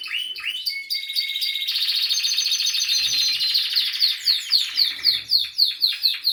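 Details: Canary song: a sustained high metallic trill and long flat whistles building steadily, ending in a run of rhythmic rising slurred notes repeated about four times a second.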